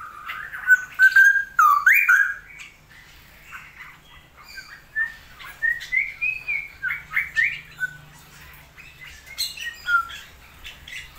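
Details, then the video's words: Cucak rowo, the straw-headed bulbul, singing while rain is still plentiful. A loud fluty warble opens, then a steady series of short bubbling whistles follows, with a few sharp clicks. "CUCAK ROWO GACOR/TIDAK?"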